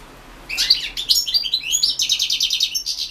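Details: Competition song of a European goldfinch recorded for the internet-based 2016 World Championship in Goldfinch Song: bright, tinkling twitters and slurred high notes building into a rapid rattling trill of repeated buzzy notes.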